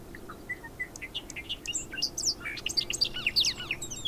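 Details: A Bobolink starts with a few spaced soft whistled notes, then breaks into its fast, bubbling, robotic-sounding jumble of high tinkling notes that rise and fall erratically.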